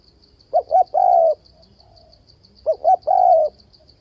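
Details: Spotted dove lure call for trapping: two phrases of two short coos ending in a long, gently falling coo, separated by a pause, over a faint steady high pulsing trill.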